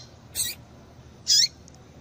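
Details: Two quick, high, piercing notes less than a second apart from a female double-collared seedeater, whose calls serve to stimulate males to sing.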